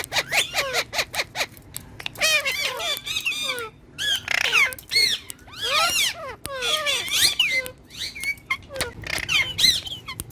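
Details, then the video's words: Green ringneck parakeet, a pet talking parrot, giving rapid harmonic squawky syllables with sharply rising and falling notes, some speech-like phrases, in short bursts over about ten seconds in a small indoor space. "Green Ringneck Talking Parrot"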